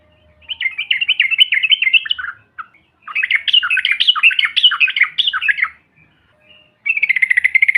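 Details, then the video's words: Lure call of the yellow-vented bulbul, meant to provoke other birds: two long runs of rapid, warbling chatter separated by a short gap, then a steady, evenly pulsed buzzy trill. "TRUCUKAN BAHAN ATAU Ombyokan, Paut BISU Seketika BUNYI NGAMUK Mendengar SUARA INI"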